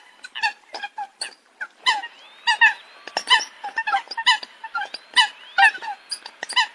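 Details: Several coots calling: a busy mix of short, nasal kowk-like notes with a few faint thin upslurred whistles woven between them.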